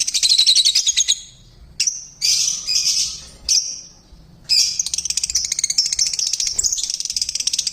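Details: Noisy pet lovebirds in a mini aviary: a loud shrill screech, brief harsh squawks split by short silences, then a fast continuous high twittering chatter to the end.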